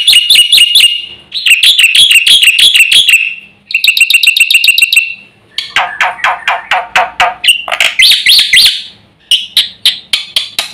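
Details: Javan pied starling singing vigorously with a full repertoire of fill-in phrases, said to provoke other birds: loud, harsh chattering bursts of rapid repeated notes, separated by short pauses, growing buzzier and more grating toward the end.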